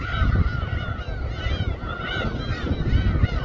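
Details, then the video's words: Gulls chorusing over a boat at Samgilpo Port, Daesan-eup, Seosan, South Chungcheong, Korea, where raw fish is sliced on board; many overlapping arched, nasal mewing calls over a steady low engine rumble. "회뜨는 선상 갈매기 합창"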